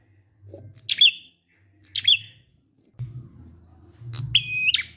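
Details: Prinia sounds meant to coax other prinias into song: two brief high chirps, then, after a low rumbling hum starts, one sustained whistled note with a buzzy end.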